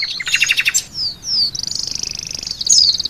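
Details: Oriental white-eye singing in a songbird training recording that includes mimicked phrases of Javan pied starling, canary and others. A short buzzy trill gives way to long, thin, high whistled slurs gliding downward over a steady rattling undertone.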